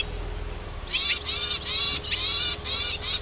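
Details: Yuhina in the wild, foraging for food for its young; after a short quiet start, a run of harsh, buzzy high-pitched bursts with stacked rising harmonics, each about a quarter second long, repeated roughly two to three times per second.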